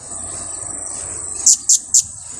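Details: Kiak-style blue-crowned hanging parrot call, used as a trapping lure: three loud, piercing, very high chips spaced about a quarter second apart, over a low rumbling background and a constant high hum.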